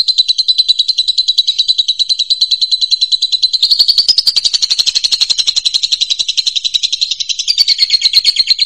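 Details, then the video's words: Captive lovebird chattering continuously, recorded as a tutor for other birds: a rapid, high-pitched, rattling series of chirps with no pauses. It grows denser and harsher midway, with no other sounds. "LOBET FULL GACOR UNTUK MASTERAN"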